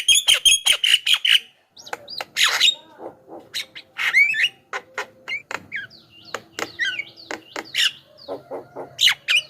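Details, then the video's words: Javan myna song used as a lure for wild mynas in the forest and to tutor caged birds: a rapid burst of sharp clicks, then varied harsh squawks, whistled chirps and rising notes, loud and busy throughout. "SUARA BURUNG JALAK KEBO,suara masteran paling dicari,ahli pancingan dengan variasi suara"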